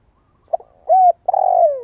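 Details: Spotted dove used as a decoy for its pleasing voice: faint short notes, a smooth arched coo, then a long rolling croo that drifts downward and fades. The background is otherwise silent.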